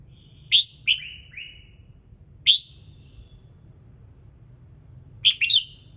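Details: Red-whiskered bulbul singing in the morning to set off other birds: a quick pair of sharp notes, one trailing into a lower falling whistle, then a single note and a final doubled note, with a steady low background rumble.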